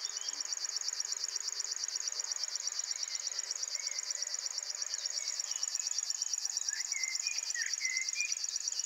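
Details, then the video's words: Singing male River Warbler at RSPB Ham Wall, recorded early morning after waking and preening; a continuous, insect-like mechanical reeling of rapid pulses held steadily throughout, with faint other bird notes in the background. "Singing RIVER WARBLER"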